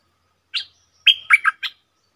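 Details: Stripe-throated bulbul in a cage, recorded 7 June 2021: an opening high chirp, then a whistled note dropping into two quick gurgles and a final short chirp.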